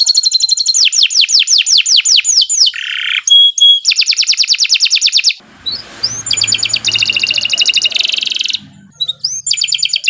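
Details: Canary singing a long varied master song: rapid downslurred whistles, a harsh buzz and pure whistles, a fast trill, then a stretch with faint background noise before further trills and upward slurs.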